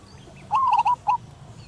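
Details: A local female zebra dove calls for its mate from a perch with a brief burst of three or four quick, slightly rolling coo notes, then one more short note, against quiet background noise.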